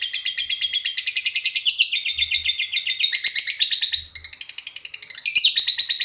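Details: Lovebird chattering in ngekek style as a lure to provoke other lovebirds: fast, harsh, shrill trills in several bursts, each jumping to a new pitch, with occasional low thumps.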